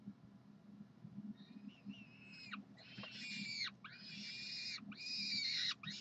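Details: Peregrine falcon at the University of Calgary on a Saturday morning, calling for food with harsh, rasping screams about a second long, repeated almost back to back and growing louder, over a steady low hum.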